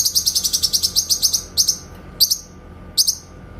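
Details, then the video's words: Rapid series of about twelve high, staccato buzzy notes from a grey-cheeked bulbul in clear 'tembakan' (shot) style for songbird tutoring, followed by three isolated sharp downslurred shots. "MASTERAN BURUNG CUCAK KINOY SUARA TEMBAKAN JERNIH"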